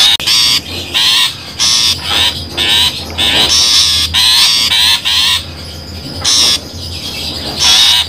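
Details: Long-tailed shrike lure recording used for bird trapping: loud, harsh, buzzy notes, each about a third of a second, repeated in rapid bursts with short gaps, over a steady high thin tone and a low hum.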